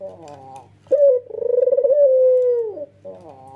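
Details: White red-eyed male Barbary dove giving one full nodding coo. A sharp clipped onset runs into a long, vibrating, level coo that falls away at the end, framed by softer stuttering notes and a steady hum.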